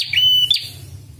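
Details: Single whistled call of a red-headed prinia used for luring and training birds: a sustained high steady note ending in a brief sharp upturn, followed by a low background hum.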